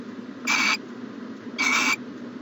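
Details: Two quieter rasping hisses, about a second apart, from an owl at its nest box on a January 2020 morning, heard over a noticeable low background hum.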